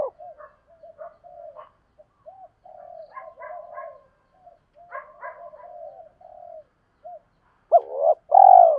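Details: Lure calls of spotted doves, male and female decoys: many soft low murmuring notes and faint chirps, then a loud two-part coo closing the passage.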